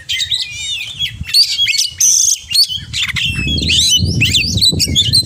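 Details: Oriental magpie-robin singing 'gacor' with full 'isian' mimicked phrases: quick bursts of high whistles, chattering notes and buzzy trills, with a steady low rumble growing louder in the second half.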